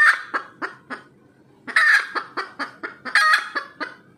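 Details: Wild red junglefowl cackling after laying an egg: a harsh squawk trailing into spaced clucks, then two further bouts of longer squawks and quick clucks roughly every quarter second.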